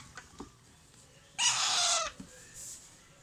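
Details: Alexandrine parakeet chicks calling while being fed: a sustained rough, noisy squawk of about half a second after a few soft taps, then a fainter high wheezy note near the end.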